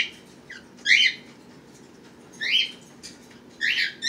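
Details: Pet birds with babies hatched at the start of April 2018, kept indoors with cats around: three short, harsh squawking calls about a second or more apart over a low room hum.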